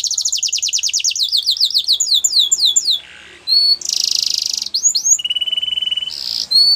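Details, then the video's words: Training song of a canary: fast rolling descending trills, a brief low nasal buzz, a loud harsh rasping burst, then steady repeated trilled notes and another rasp, faint room noise beneath. "Canary's Most Powerful Song For Training"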